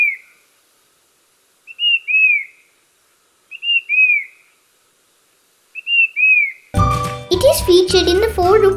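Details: Brown-capped Babbler, endemic to Sri Lanka's up-country forests near Castlereigh Reservoir, Hatton, gives clear whistled phrases, a short rising note then a falling slurred whistle, about every two seconds; music begins near the end.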